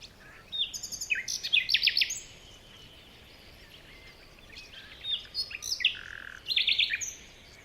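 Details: In a morning forest, birds chirp in two lively bursts of rapid high twitters and short trills, separated by a quiet interval of a few seconds.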